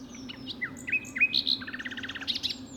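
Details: Common nightingale singing out in the open very early in the morning at Pulborough nature reserve, Sussex, in spring: a long thin whistle, rising whistled notes and a quick rattling trill, loud and varied, over a low hum.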